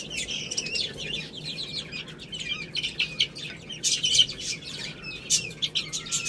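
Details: Chicks eating rice, giving high, slurred peeps, some gliding downward, mixed with sharp pecking clicks and a faint low hum.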